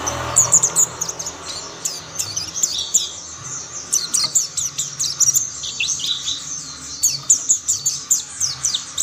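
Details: Chorus of mountain white-eyes, other birds soon singing along: dense, high-pitched twittering with quick slurred chirps, rising in busyness toward the end.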